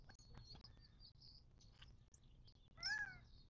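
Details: Birds gathered at a watering hole in the western Mojave Desert of southern California, 19 March 2024: soft high chirps, then near the end a loud, ringing harmonic call that dips slightly in pitch.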